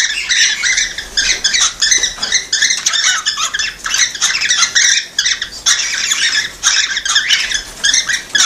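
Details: A chorus of cockatiels, their calls meant to spur mating and production. Rapid, evenly packed squawky notes repeat in dense rows throughout, sounding like constant busy chatter.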